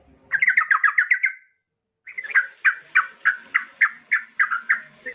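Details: Female yellow-vented bulbul calling a male, used as a lure recording: a fast burst of bubbly chattering notes near the same pitch, a short pause, then a steady series of rich, slightly falling notes repeated about three per second.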